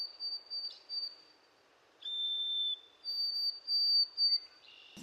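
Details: White-throated Sparrow, a migrant of northern woods that sings from exposed perches to defend territory: clear, pure whistles held steady, a high note, then a lower one, then repeated high whistles, in a quiet background.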